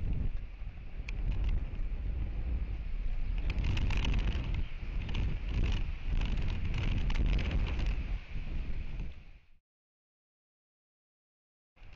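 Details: Heavy wind rumble and microphone buffeting with a faint steady hiss fill the first nine seconds, then near silence; no animal calls stand out.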